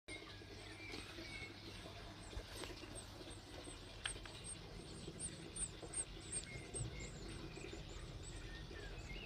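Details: Newly hatched Blue tit chicks inside their nestbox give a steady stream of very high, thin chirps, several per second, over a low rumbling background hum.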